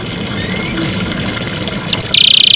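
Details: Canary in the morning, heard after a noisy, watery-sounding start: a quick series of short high chirps followed by a bright, fast buzzing trill.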